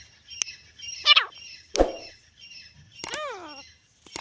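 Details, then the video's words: Calling grey francolin (teetar). Three strident, harmonic notes arrive at irregular intervals: a high falling squeal, a lower harsh burst, then a clear arched note that rises and falls. Faint background hiss runs throughout. "irani teetar ki awaz#grey Francolin"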